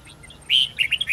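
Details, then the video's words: Wild-voice song of a red-whiskered bulbul, used to teach young birds: a soft note then a strong, clear whistled note, followed by a rapid run of short bouncing notes that rise and fall, against light steady hiss. "Chào mào hót giọng rừng âm dài xoắn cực hay/Dùng luyện chào mào non,má trắng học giọng rừng"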